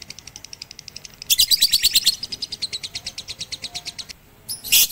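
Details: Batman lovebird trained on a roof alongside a master recording in April 2021: rapid repeated high notes swelling into a loud dense chatter, fading to a quick trill, ending in a harsh shriek.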